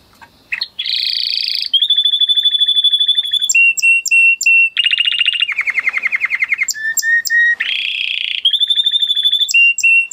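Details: A male canary in breeding condition sings without pause: a buzzy rolled phrase, a long steady whistle, bursts of sharp repeated chips, fast descending trills, then further rolls and whistles in changing tours.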